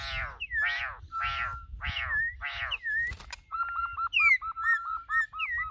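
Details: Campo troupial, a Brazilian singer described as among the best in the country, gives several harsh, buzzy, rasping notes, then a brisk string of short, clear, evenly pitched whistles repeated rapidly.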